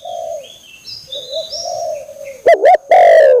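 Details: Spotted dove giving a low, steady cooing tone that wavers slightly. Thin high whistles from other birds sound above it, and loud warbling, wavering squeaks come near the end.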